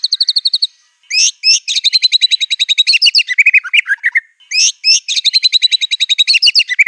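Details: Fierce, nearly unbroken song of a white-rumped shama packed with mimicked canary, cililin and cungkok phrases: dense fast-pulsed high trills broken by a dip into lower rolling warbles, then another long rapid trill.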